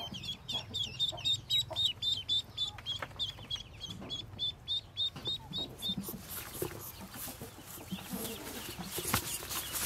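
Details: Newly hatched yellow Muscovy ducklings, from a brood of 25 hatched by a white Muscovy duck, give high, thin peeps several times a second for about six seconds, then fade into rustling and broadband noise.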